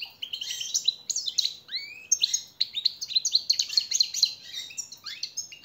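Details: European goldfinch, a master training and motivating song used for captive birds: a dense, fast twittering run of bright, buzzy and tinkling notes with quick upward slurs, flowing almost without a break for the whole stretch.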